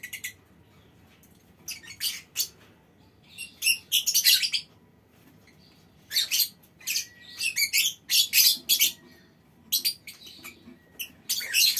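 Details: Colony of lovebirds in a small aviary, calling so that other birds join in long chattering; irregular shrill squawks and grating chatter bursts, several in quick succession.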